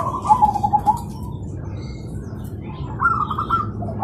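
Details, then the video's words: Zebra doves in the morning answering each other: a soft rolling coo phrase, a pause, then a higher trilled reply from a second bird, with faint low background noise. "Perkutut Manggung Di Pagi Hari Saling Bersahutan Dan Ramai"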